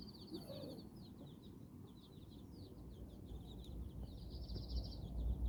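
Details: Mother hen and her nine chicks exploring outdoors in Bizkaia, Basque Country; a run of high, quick, downward peeps, with a longer trilled peep near the end and rising low rumble.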